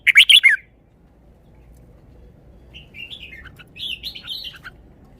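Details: Red-whiskered bulbul singing song phrases in a praised style. It opens with a loud run of four quick, harsh, chirpy notes. After a pause comes a softer, rambling warble of wavering whistles.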